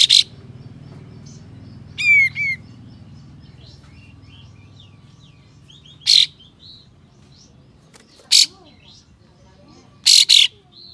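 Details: Kapas tembak with spread tail, loud rough 'besetan' shots to incite other kapas tembak. Scattered single harsh bursts, then a closing double, mixed with a quick descending chirp series and soft twitters.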